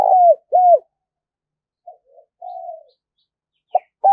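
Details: Decoy spotted dove cooing to draw in wild birds for trapping; two strong, mellow coos that drop at the end, a pause, quiet muffled notes, then renewed cooing.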